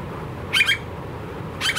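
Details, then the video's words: Australian blue-faced honeyeater, described as very noisy, giving two short, harsh squawking double notes about one second apart over quiet background noise. "The Very Noisy Blue-faced Honeyeater"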